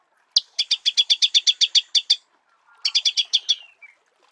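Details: Marico sunbird singing in natural habitat: a loud initial chip then a steady series of about twelve crisp staccato notes, a pause, and a second shorter burst sliding into a faint falling thin note.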